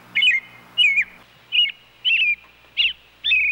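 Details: Robin calling: six short, clear whistled phrases, each sliding and warbling slightly, given at a steady pace of about one every half second. Faint low hum underneath.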